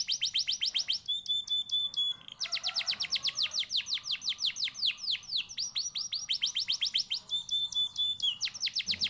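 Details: Contest canary from Pekalongan, Central Java, singing a long, continuous song of fast rolling trills and rapid repeated downsweeps, broken by brief steady whistled tones, bright and high throughout with a faint low hum underneath.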